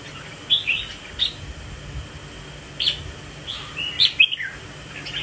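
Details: Red-whiskered bulbul displaying with swaying movements. It gives brief chirpy notes, then a pause, then a fuller cluster of quick whistled notes near the end.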